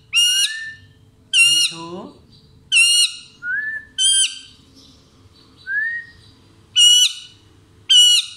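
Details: Parrot alternating loud, nasal, harmonic squawks with clear whistled notes, roughly one call per second, one dipping warble in the middle, in a quiet indoor setting.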